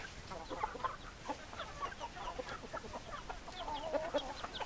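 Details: A group of hens gives a busy stream of low clucks and murmurs, overlapping and uneven in rhythm, over a constant hiss.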